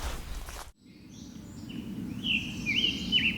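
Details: Scarlet Tanager in the Allegheny National Forest, possibly from a clearer earlier encounter, gives a few hoarse, burry, robin-like phrases in quick succession, after a burst of rushing noise and over a steady low rumble.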